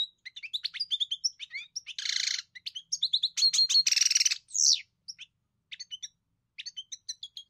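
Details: Energetic European goldfinch song: rapid tinkling twitters mixed with harsh buzzy rattles and a descending slurred note, then sparser chirps toward the end.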